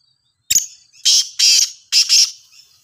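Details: Black francolin, a Sindhi type said to call very well: a sharp click, then three loud, harsh, grating bursts, the last two split into paired notes, all within about three seconds, with no other sounds.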